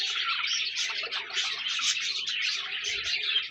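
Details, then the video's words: Budgerigars chirping and chattering; a dense, continuous flock chorus of rapid twittering and warbling notes, with no clear gaps and a faint low hum underneath. "Budgies Birds talking sound | Birds chirping sounds"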